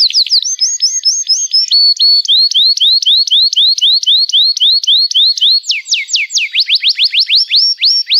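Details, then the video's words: Long canary song: steady repeated whistled notes about four per second, shifting between phrase types, then fast steep sweeping notes toward the close. "Kenari Gacor Panjang Cuit Cuit Emosi, Pancingan Kenari Paud Belajar Bunyi"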